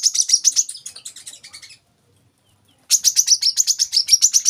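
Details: Olive-backed sunbird singing, a tutor recording for young caged birds: two bursts of fast, high, thin chipping trills at nearly four notes per second, separated by a second of silence.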